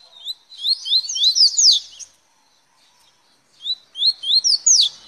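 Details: Double-collared seedeater giving a velocista-style song: fast sequences of sharp upward-sweeping whistles that accelerate into a tumbling, twittering flourish, repeated twice with a short silent gap between phrases.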